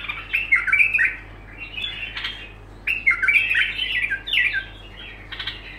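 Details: Bulbul song, delivered as continuous phrases without a break: rich, jumbled warbling bursts roughly every one to two seconds, some ending in sharp clicks, with a constant low hum underneath.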